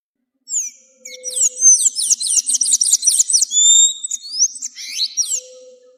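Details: Sayaca tanager song meant for teaching captive birds: high squeaky chirps leading into a rapid series of about nine repeated down-slurred notes, then whistled slides and twittering, over a faint low steady hum.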